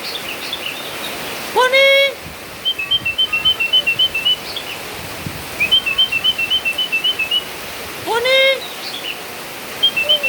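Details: Tame sooty-headed bulbul caught in the rain: quick series of short, high chirps at a steady pitch, in bursts of about ten, with two loud harmonic squawk-like bursts and a rain-like hiss in the background.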